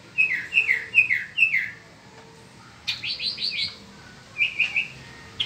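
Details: Peninsular mockingbird singing in spring: four clear, down-slurred whistled phrases, then a quick run of high, sharp notes, then short repeated chirps; no other sounds.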